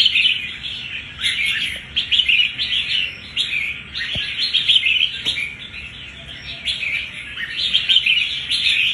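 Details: Red-whiskered bulbul, a wild-caught bird one month in captivity, showing toughness and fighting spirit; continuous dense run of bright chirpy, warbled notes with short bursts and brief dips, sounding like several birds overlapping.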